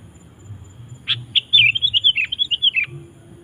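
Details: Sooty-headed bulbul (kutilang) in vigorous gacor song, used to draw wild bulbuls into singing: a sharp opening chirp, then a rapid run of bubbly, warbled whistled notes about a second and a half long, ending in a dipping note.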